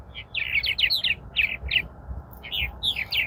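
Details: Purple martins at their colony around April 18, arriving later than usual: clusters of liquid, gurgling chirps and short warbled notes, several birds overlapping, over faint low background rumble.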